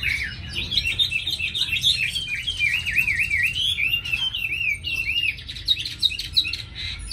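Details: Chinese hwamei, tame and caged in Hà Nội, known for its fine voice, pouring out looping, wavering whistles that bounce up and down in quick succession, with short pauses between bursts and a low hum beneath.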